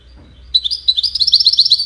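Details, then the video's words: Goldfinch in song, used for courtship and communication. A bright, rapid twitter of about a dozen high notes runs steadily for just over a second after a brief quiet start. "Witness the Majestic Goldfinch Singing"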